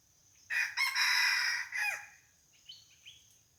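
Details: Decoy red junglefowl crowing to lure wild junglefowl, at the place where a barking deer came yesterday; one loud, rich crow of several bursts lasting about one and a half seconds, dropping at the end, then two faint chirps over a high insect drone.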